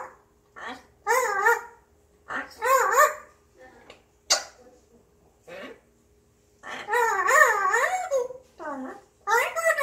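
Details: Grey parrot indoors, humming to itself on a day it seems in a good mood: bursts of warbling, harmonic, voice-like notes with wavering rising and falling pitch, separated by short pauses, with a faint low hum underneath.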